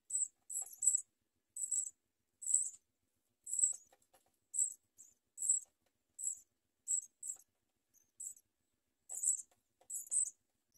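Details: House sparrow nestlings begging while a parent feeds them; thin, very high, scratchy chirps in quick bursts, some doubled, about a dozen bursts over ten seconds, quiet and close, with no other sounds.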